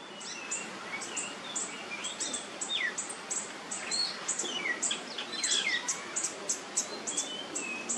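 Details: Oriental magpie-robin in nyemplong singing style, played as a lure to get other magpie-robins to sing: dense, overlapping high whistled notes and quick slurred phrases, fairly soft, with a steady hiss in the background.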